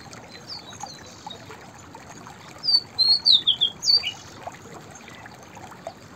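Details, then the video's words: A white-browed fantail gives one short, sweet whistled phrase of about six high notes, climbing then tumbling down, amid a quiet hissing background. "White Browed Fantail Singing Songs / white-browed fantail vocals / chirping"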